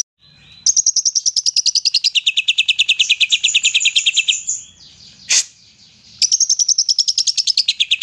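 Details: Greater green leafbird, 'gacor nembak' song played to provoke lazy leafbirds to sing: a long burst of quick staccato notes shifting from a high to a lower pitch, a brief gap with one sharp sweep, then the rapid pulsing resumes.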